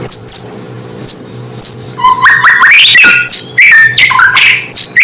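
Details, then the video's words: White-rumped shama singing to provoke other shamas: short high whistles spaced about half a second apart, then a fast, varied run of rising whistled and chattering notes, over a faint hum. "Suara asli murai membuat murai lain langsung emosi"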